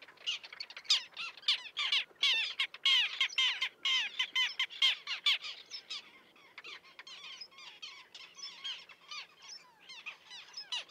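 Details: Common tern colony with chicks on concrete near a sea breakwater at Liepāja, Latvia, June 2024; quick, clipped, scratchy notes from several birds, dense and loud at first, then thinner and softer.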